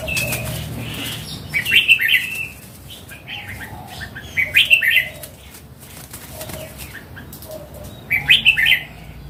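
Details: Mature wild red-whiskered bulbul singing three bright, bubbling phrases of quick warbled notes about three seconds apart, with quieter chirps between them.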